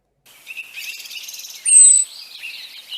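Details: A European robin gives a single thin, very high seep call lasting under half a second, shorter and slightly higher than a blackbird's seep, over soft background twittering of other birds.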